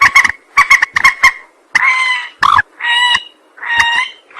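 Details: Rail sounds used to lure birds for trapping. A quick run of short nasal notes gives way to longer, drawn-out, wailing, trumpet-like calls. A sharp squawk comes between them.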